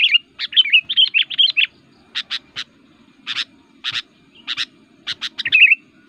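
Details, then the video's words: Aggressive kutilang (Sooty-headed Bulbul) fighting song that angers other bulbuls: a rapid string of slurred chirps, then spaced pairs and triplets of sharp notes, closing with a warbled flourish. "burung kutilang gacor, super fighter, ngotot aktif bikin emosi"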